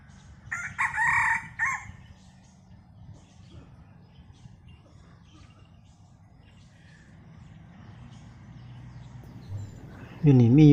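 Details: One of two decoy red junglefowl roosters crowing on a cold, overcast day while the other stays silent. There is a single brief, harsh, harmonic crow near the start, then a long quiet stretch and a man's voice at the end.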